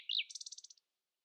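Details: Common nightingale singing at dawn to outdo rivals: a brief slurred whistle followed by a fast stuttering trill of about nine high notes.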